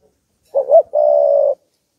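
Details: Spotted dove decoy bird cooing to provoke wild doves: a short wavering two-part note followed by a long, steady, slightly buzzy coo, all low and mellow, in quiet surroundings.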